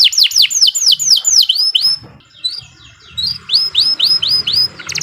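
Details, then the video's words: Singing canary used as a tutor for young birds: a series of loud downward-curving whistled notes about four per second, a short quiet gap, then more evenly spaced swoops, over a faint low hum. "Kicau Burung Kenari 123 II LUAR BIASA GACOR PANJANG Cocok untuk Masteran"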